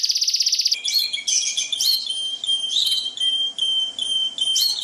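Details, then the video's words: Canary song combined with calming trickling water, made to tutor caged birds and reduce stress: a fast, very high trill gives way to clear whistles and warbled phrases over a steady water hiss. "Suara Burung Kenari"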